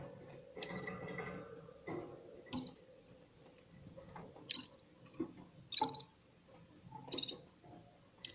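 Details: Red-fronted serin singing in unison with other birds while warming up: sharp high chirps come in short separate bursts every second or so over a quiet low hum.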